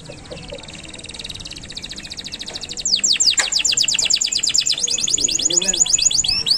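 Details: Canary in long, energetic song, used as a training master for young songbirds: quiet high trills building into a loud, fast series of sharp down-swept notes and rolling trills, with faint background noise.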